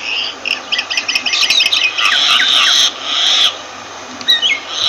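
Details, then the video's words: Myna giving fast, varied chatter of clicking and whistled notes that runs into a sustained harsh, grating rasp, followed by a pause and a few short squeaky notes. "Myna Bird sound Voice"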